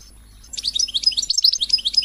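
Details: European goldfinch, song meant to rouse other birds to sing: a short burst of rapid, tinkling high twitters following a quiet start.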